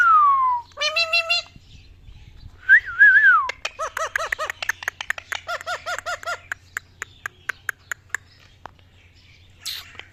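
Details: An angry, fighting ringneck parrot kept indoors makes a falling whistle, harsh harmonic squawks, and then a fast run of short, clipped, repeated chattering notes that slow and fade toward the end.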